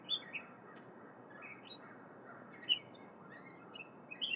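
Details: On June 1 in a yard in Greensboro, North Carolina, a Gray Catbird gives a loose jumble of short, squeaky chirps and slurred notes at an uneven pace over steady background hiss.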